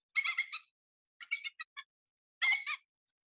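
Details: Bald Eagle call played in a talk on Maryland and D.C. birds: three bursts of high, thin chittering notes, each a quick stuttering run of piping chirps about a second apart.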